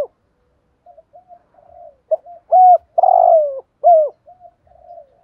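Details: A spotted dove's decoy-stirring thúc gù coo: faint, low murmured notes build into one loud phrase of sharp hoots and a long, falling coo, then soft murmurs resume.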